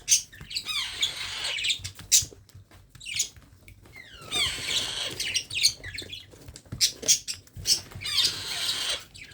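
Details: Baby parrot being hand-fed, mixing raspy squawks with thin descending whistled notes, calling in repeated bouts with brief pauses.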